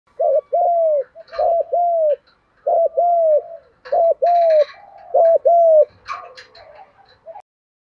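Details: Male and female spotted doves cooing to stir up birds in training: repeated paired low hollow coos, each note rising then falling, in quick couplets, with a few faint chirps of other birds.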